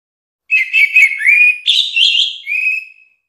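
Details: Orange-headed thrush singing one continuous varied phrase of whistled, slurred notes, rising and falling, ending in a thin drawn-out whistle; quiet background.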